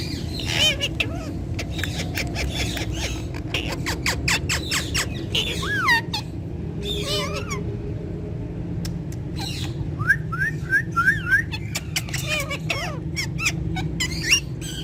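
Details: Several ringneck parrots give scattered harsh squawks and short rising chirps, with quick sharp clicks between calls, against a constant low rumbling background.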